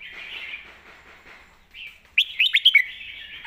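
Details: Red-whiskered bulbul master song, 'golden phrasing' style: soft background chatter at first, then a sudden loud, rapid string of four or five bright rising whistles near the end.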